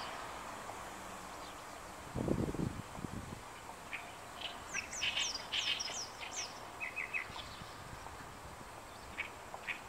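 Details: Oriental reed warbler in Inuyama, Japan, on 28 May 2022, singing a territorial declaration: harsh chattering song of grating repeated notes in short bursts; a low quack-like call sounds briefly before, over steady background hiss.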